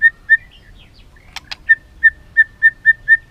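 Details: ['White-rumped shama filler song for coaxing other shamas to sing: short pure whistled notes on one pitch repeated about four times a second, broken by two brief clicks.']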